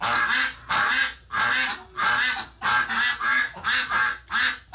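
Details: Ducks reacting after one of the flock died in hospital, November 30, 2018: about eight loud, coarse, nasal quacks follow one another steadily, each around half a second long.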